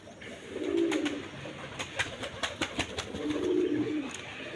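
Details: One of four pairs of domestic pigeons cooing before egg laying, a pair of a non-local breed kept in a flock of eighteen, males chasing females in the morning; two low soft coos with sharp clicking knocks and flapping between them.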